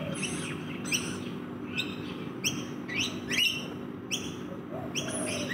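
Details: Rainbow lorikeets feeding in a backyard give a series of harsh, piercing screeches, roughly one or two every second, with a faint background hum.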